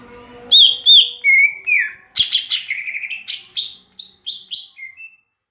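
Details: Loud song of a Greater green leafbird: looping sweet whistles and slurred notes, then a fast sequence of buzzy chirps and descending whistled phrases that fade into a few soft final notes.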